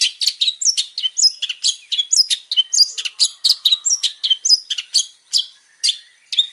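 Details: Long-tailed shrike, described as a male, singing a lively, varied song of rapid high chirps, short whistled slurs and scratchy notes, delivered in quick bursts several times per second without pause; no other clear sounds.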